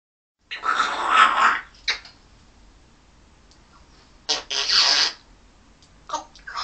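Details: A pet African grey parrot on its playstand, wanting attention, gives harsh, breathy bursts of mimicked speech and squawks: a long phrase, a short clip, then several quick utterances in a quiet room.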